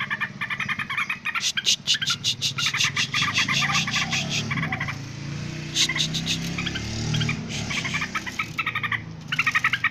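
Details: Yellow-vented bulbul calling noisily: long runs of fast, buzzy chattering notes that rise and fade repeatedly over a steady low rumble.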